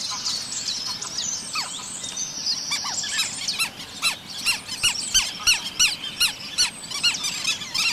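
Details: Indian river terns (Sterna aurantia), freshwater river birds, give sharp, high squealing calls about three a second, several birds overlapping in a ragged chorus over a steady high hiss; river tern.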